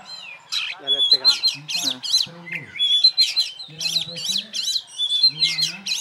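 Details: Champion oriental magpie-robin, caged and hung up by itself with no master birds, sings loud, rich phrases of looping whistles and rattling chatter repeated about every second, with lower harsh notes mixed in.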